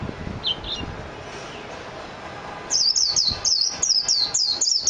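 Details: Japanese white-eye, known locally as mejiro, gives two faint high notes early, then after a quiet gap a fast chain of thin descending whistles begins near the three-second mark and runs to the end.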